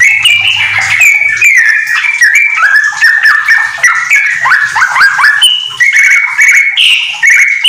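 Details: Yellow-vented bulbul, a kept bird singing loudly and continuously, with a song filled with magpie-robin phrases for use as a training recording: dense run of slurred, downward-sliding whistled notes with varied chirps, constant and busy throughout.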